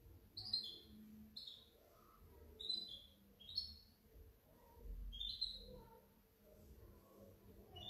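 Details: Hybrid European goldfinch, 2019–2020, giving short separate chirping notes every second or so, each a quick bright twitter, over steady low background hum and rumble.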